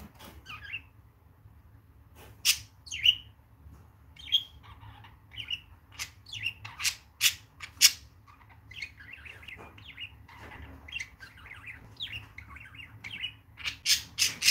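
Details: A male and a female (mother) pet budgerigar chatter with quick, irregular warbled chirps mixed with sharp clicks and scratchy notes, about one or two a second, over a low steady hum.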